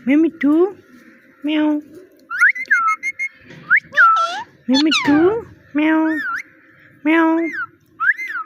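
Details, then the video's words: Little talking parrot repeating "Mitthu" and "meow" in a sweet voice: throaty, voice-like syllables with rich overtones alternate with bright slurred whistles, about a dozen utterances in quick succession. "Funny Parrot Talking – Mitthu Mitthu Moments!"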